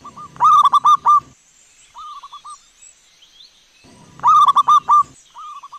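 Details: Local wild zebra dove (perkutut) used as a lure and master recording to make other doves answer: two bursts of quick, rolling cooing notes, each about a second, with softer, fainter cooing answering in between.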